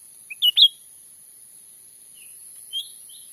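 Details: Cucak ranting (grey-bellied bulbul) sound used to lure wild birds during daytime trapping in Sumatra's forests. A quick three-note whistled phrase opens, then after about two seconds a few fainter, softer whistles follow.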